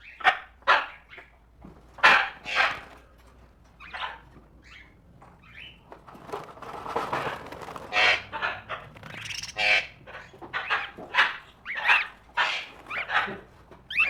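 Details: Tropical birds: harsh, raspy squawks burst out one after another at an uneven pace, a few each second, some loud and close, others softer behind them.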